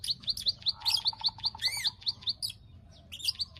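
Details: Brief run of quick, sharp, high clicks from a bar-winged prinia, played as a lure to bring on breeding condition; an arching chirp cuts through midway, then a short pause before the clicks resume.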